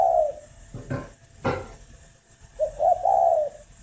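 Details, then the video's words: Spotted dove from a breeding farm near Hanoi, Vietnam. A coo ends, two dull knocks follow, then a full phrase of short lead notes and a smooth, mellow, drawn-out coo. "tiếng chim cu đẻ"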